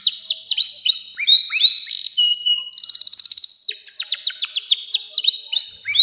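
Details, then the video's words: Canary delivering long song to teach young canaries. Fast rising and falling chirps come about three per second, followed by a dense rolling trill and a series of sharp, repeated downward-swept notes. "SUARA KENARI NEMBAK PANJANG‼️cocok buat pancingan kenari muda dan masteran burung"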